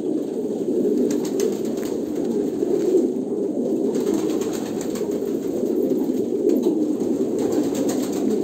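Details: Several Kolkata pigeons keep up an unbroken murmur of deep, throaty coos that blend into one low humming chorus, with scattered light taps and scuffs in the background.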